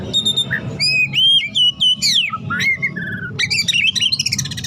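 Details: Caged White-rumped shama, a hot-tempered bird in full dense song: clear ringing whistles, swooping slurs and a burst of fast scratchy chatter at the end, with low background rumble throughout.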